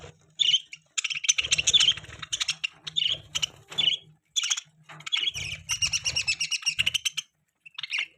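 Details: Budgerigars kept as pets chatter in dense runs of high, scratchy chirps and squeaky squawks. The runs are separated by brief gaps, and a low background hum runs throughout.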